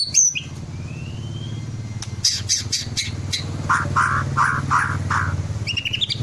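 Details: Young caged white-rumped shama, twelve months old and just past its speckled juvenile stage, from Klaten, Central Java, played to lure other shamas into singing. High thin whistles and harsh buzzy bursts lead into a run of rich repeated notes, over a constant low engine-like hum.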